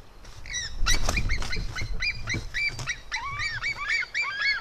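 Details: Female and male white-tailed eagle eaglets fighting in the nest: a series of high, squealing, rising-then-falling yelps, overlapping and quickening toward the end, with low rumbling background noise.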